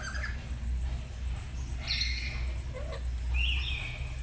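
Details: Black-capped lory pair at home, learning to sing in a morning duet: a brief whistle, a ringing buzzy note, then a rising slurred whistle, with a steady low hum throughout.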